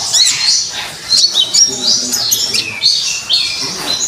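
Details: Lively Common iora song meant for training songbirds: continuous high, bright twittering with sharp downward-slurred whistles and rapid chattering notes, loud and unbroken throughout.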